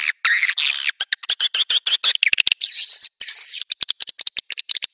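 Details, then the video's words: Swiftlet call, Naga Merah type, meant to attract swiftlets to nests: rasping trills and fast clicking alternate, with a sustained buzzy twitter near the middle. "Suara Burung Wallet Naga Merah durasi panjang!!"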